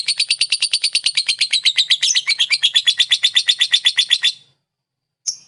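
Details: Ngekek lovebird song meant to rile up other lovebirds: over four seconds of fast, evenly pulsed raspy chatter, ending abruptly, followed by one brief harsh note after a pause.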